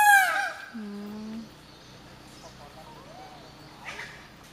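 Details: A peacock sitting in a tree gives one loud, nasal, rich-toned wail at the start, followed by a lower, steady droning note, with faint voices and background sounds afterward.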